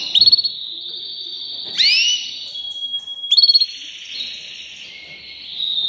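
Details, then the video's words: Canary song of sustained high trills, a quick sweeping upward flourish, rapid pulsed rolls and a thin steady whistled note, continuous throughout. "Making Your Canary Sing with Joy"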